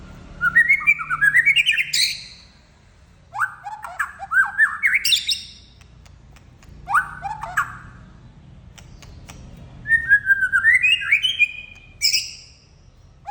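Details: Male white-rumped shama in lively full song: four loud bursts of rapid rising whistled and chattering phrases sweeping upward, each lasting about a second and a half, separated by short pauses, over faint low background hum.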